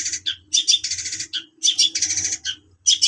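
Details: Long-tailed shrike delivering bursts of harsh, chattering high notes in short phrases separated by brief gaps, over a faint low hum.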